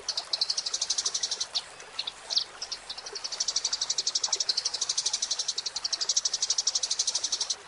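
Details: Eurasian tree sparrow singing, a master recording for tutoring songbirds: long runs of rapid, high, dry chirps, briefly broken near the middle by a few louder separate notes before the quick chattering run resumes to the end.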